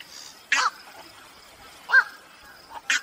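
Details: Lure recording of black-crowned night heron for night-time bird trapping, 2023: three separate harsh, croaking barks about a second or more apart over a faint hiss.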